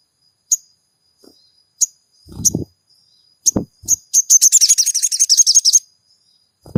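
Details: Chirps from a sogon, used as a lure for a caged bird, build into a rapid, buzzy high trill of evenly repeated notes lasting about one and a half seconds, with soft low knocks in between.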